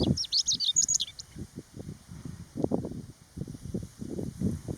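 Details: On 15 June 2020, on the Utsukushigahara highland in Nagano, Japan, in early summer with a cool wind blowing, a Chestnut-eared bunting gives one quick, high, jumbled twittering phrase of about a second, amid low, gusty wind rumble.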